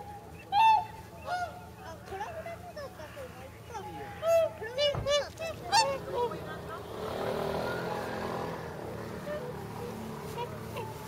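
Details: Whooper swans near their northward departure, at a pond in Nagamine, Nishiyama-machi, where close to 300 swans gathered; many overlapping bugling honks with upward-bent notes during the first six seconds, then a steady broad rumble takes over.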